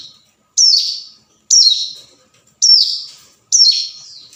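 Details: Hill prinia giving its rival-summoning call, used as a lure: four strident high notes, each dropping in pitch with a scratchy tail, spaced roughly a second apart.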